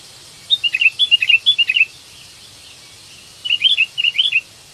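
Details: Sooty-headed bulbul of the kutilang ranting kind seeking a companion, played as a trapping lure: two quick runs of bubbly, chirpy whistles, roughly eight notes then six, separated by a short silence.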